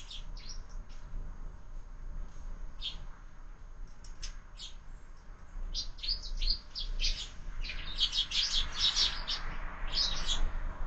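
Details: Sparrows at a window-mounted feeder at breakfast time, with year-round bird feeding, giving scattered short chirps that build into a busy chattering cluster near the end, over steady low background hum.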